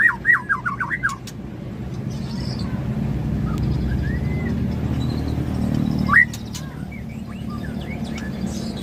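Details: Aceh white-rumped shama of the Tangse line singing: a quick burst of five looping, whistled notes in the opening second, then a single sharp upslurred whistle near six seconds over a steady low rumble.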